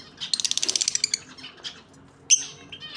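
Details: Pair of lovebirds chattering: a rapid run of about a dozen raspy clicking notes, then quieter twitters and a sudden loud harsh squawk near the end.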